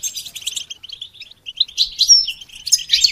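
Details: Goldfinch trained to sing, giving scratchy, stuttering twitters with a brief thin whistle and a louder, busier flourish of high chirps near the end.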